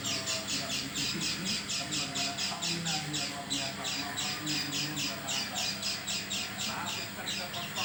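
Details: An oriental white-eye sounding unlike its usual self: a repeated series of harsh, rasping high notes about two per second, briefly uneven near the middle, over low background hum.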